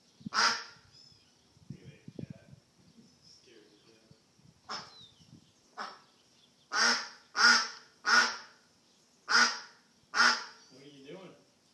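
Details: A lost duck calls with loud, harsh, honking quacks, single ones at first, then a rapid run of six near the end, with soft low rustling between them.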